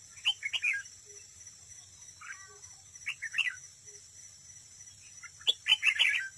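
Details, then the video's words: Red-whiskered bulbul decoy bird at a trap, singing competitively: short chirpy warbled phrases in bursts about a second apart, with quiet gaps between. A steady high drone runs underneath throughout. "chào mào mồi đấu bẫy, hót đấu"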